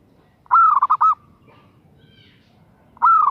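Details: A female zebra dove calls to a male with two bubbling coo phrases about two and a half seconds apart, each starting with a rising note then rippling into quick pulses.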